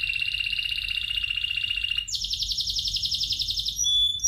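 A Spanish Timbrado canary sings a fast metallic trill, a steady rolled phrase that jumps abruptly to a higher, brighter trill partway through.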